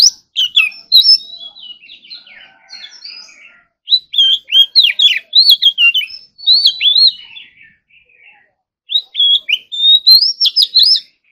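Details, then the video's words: Morning voice practice by an Oriental magpie-robin: soft twittering gives way to loud, clear slurred whistles in rapid phrases, a quieter interlude, then another bright burst of rising whistles. "Kacer Gacor Full Isian Tembakan Mewah || choè than hót đấu"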